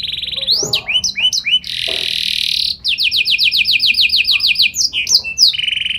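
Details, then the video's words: Vigorously singing canary with special phrasing to get other canaries answering: a short whistled roll, swooping notes, a loud buzzy rattle, then a fast series of repeated rising notes and more quick swoops. "Burung Kenari Gacor Nembak Joss Cengkok Istimewa! Buat Kenari Lain Langsung Nyaut Gak Pake Lama"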